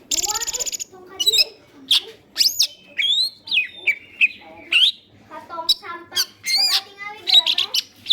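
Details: Lively green leafbird (cucak ijo) song for luring other birds: a brief buzzy rattle, then a long varied series of loud whistled phrases, slurs and sharp chips, separated by short pauses, rich in mimicry-like variety.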